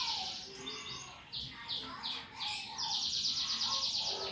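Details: Canary singing in rapid bursts, a bird kept as a prompt to get other birds singing; fast high trills and repeated downward-sweeping notes, some notes roughly three per second, with faint lower chirps underneath.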